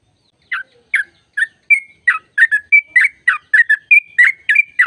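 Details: Sooty-headed bulbul (trucuk) in long 'ropel' song, used as a lure for other birds: spaced chirps quickening into a lively series of slurred, whistled notes, several with held, flat tones.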